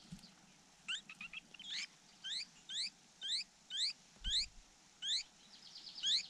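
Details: A nestling in a nest under attack by a raptor gives sharp, high, rising chirps about once a second, repeated steadily, with a single low thump midway.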